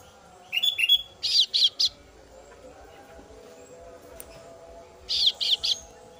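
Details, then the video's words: Female kasu-kasu bird nestling calls to its parent: quick clipped notes lead into three harsh buzzy bursts, then silence and another trio of rasping calls, over a faint background hum. "suara anakan burung kasu kasu betina memangil induk nya"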